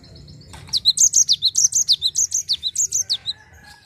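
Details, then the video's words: Java sparrow in rolling ngerol song, a lure for untrained birds to sing: about fifteen rapid, evenly paced high notes, each sweeping downward, delivered in one continuous two-and-a-half-second run. "GELATIK NGEROL UNTUK PANCING BUNYI BURUNG BAHAN"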